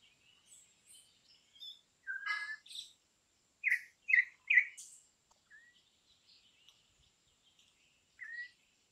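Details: Campo troupial singing scattered short whistled notes, with a burst of three loud downslurred whistles in quick succession, then quieter single notes, over a faint steady hum.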